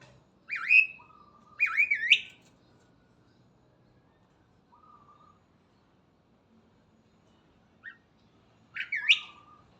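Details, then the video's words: A starling in morning song, giving two loud looping whistled phrases close together, a flat low whistle, a quiet gap, then another twisting phrase. "Burung Jalak Gacor dipagi Hari"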